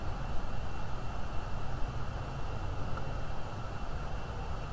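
Continuous deep rumble like wind or distant traffic, with a broad hiss above and no animal calls.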